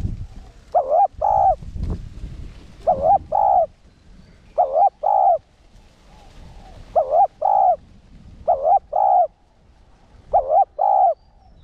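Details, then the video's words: Caged spotted dove decoy cooing in one-ending style to rouse rival males. Six pairs of dipping double coos are spaced irregularly over nearly twelve seconds, with a thud near the start and light background noise. "Cu gáy mồi cây 1 hậu gù, thúc kích bổi điên máu ức chế. cu đất gáy"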